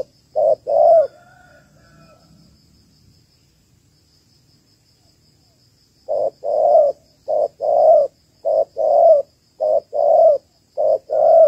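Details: Female spotted dove of the Malaysian type, calling to stimulate males and used as a lure for trapping. A pair of mellow coos opens, then after a pause comes a run of rhythmic hollow coos in short-long pairs, steady and clear.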